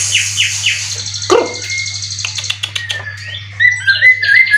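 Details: Captive competition white-rumped shama from Indonesia, with twelve contest wins, giving a few high swept notes, then a sharp thump, then clear whistled phrases and rising chirps over a constant low hum.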